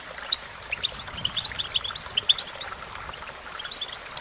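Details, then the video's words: Goldfinch training song: several clear, ringing high notes mixed with short twitters, busy for about two and a half seconds, then trailing into soft background chatter. "The magic recipe to silence the goldfinch and make it sing"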